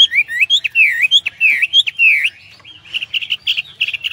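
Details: Hwamei singing energetic, varied whistled phrases with swooping slurred notes, then shifting to quicker, choppier repeated chirps; faint low rumble underneath.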